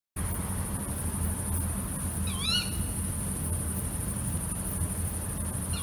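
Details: Female tawny owl at night giving one sharp, harsh call that rises and then drops, with another call beginning at the very end, over a steady low rumble and a constant thin high whine.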